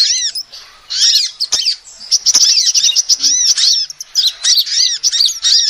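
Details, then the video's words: A female sunbird's lure call: sharp, high twitters and rapid arched chirps in uneven bursts, with a quiet gap near the start and near the end. "SUARA ASLI KOLIBRI BETINA"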